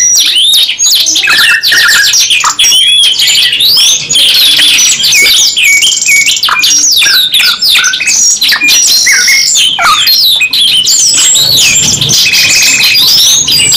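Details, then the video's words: Two canaries sing a long, unbroken 'nembak panjang' bout: rattling trills, rolling buzzy passages and whistled slurs layered densely, with occasional sharp clicks, loud and high throughout. "KENARI 2 IN 1 GACOR NEMBAK PANJANG | CANARY SINGING"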